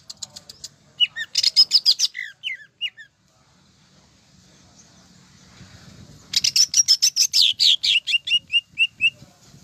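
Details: Greater green leafbird in lively full song: bursts of rapid high chattering and sharp descending whistled notes, a pause of soft background rustle, then another long run of fast repeated high slurred notes.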